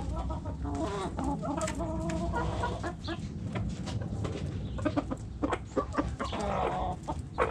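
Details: Hens clucking in a backyard chicken coop, several birds at once: overlapping harmonic clucks and drawn-out calls, dense and continuous over low droning noise.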